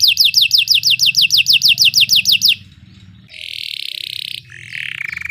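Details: Belgian canary singing to train other canaries: evenly spaced descending whistled notes, about four per second, followed by quieter buzzy rolls and a lower trill.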